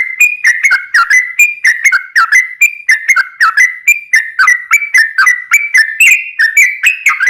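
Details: Sooty-headed bulbul 'ropel panjang' lure song meant to prompt other bulbuls to answer: a continuous run of liquid whistled phrases, each note falling then rising, delivered about four times per second without a break.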